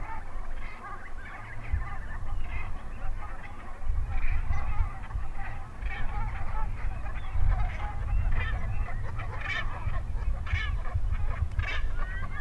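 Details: Wild Brent geese, named as Branta bernicla nigricans, on Stiffkey Saltmarshes, Norfolk, England. Many birds call at once: throaty, rolling notes rising and falling in a continuous chattering babble, some sharper honks near the end, under heavy low wind noise.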